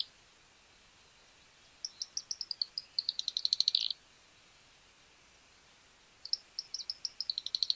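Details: Fork-tailed Flycatcher (Tyrannus savana; Tijereta) song: two bursts of high, thin ticking notes that speed up into a dry, sputtering chatter, against a quiet background.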